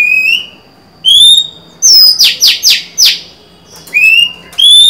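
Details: Female Oriental magpie-robin singing to attract a male, 23 July 2020: rising whistled notes open and close a run of four rapid harsh, buzzy notes in the middle.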